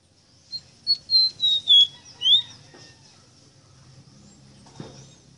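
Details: Ruddy-breasted seedeater, called rosita or meriño, giving a tutor song for captive birds: a quick series of sweet whistled notes gliding downward, ending in an upslurred note, then faint thin background whistles and a soft knock.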